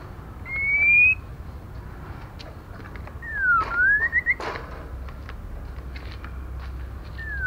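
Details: Female white-rumped shama, sounding to stimulate male birds: a long, steady, slightly rising whistle, then a dipping V-shaped whistle with quick rising notes, over faint background noise and a few ticks.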